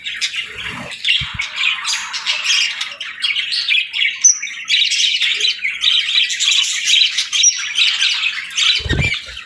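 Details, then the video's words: Budgies at home in morning light, a female among them, feeding and bathing; continuous high warbling chatter with squawks and quick chirps, near unbroken for several seconds, ending in a low bump. "Real Budgies Enjoying Morning"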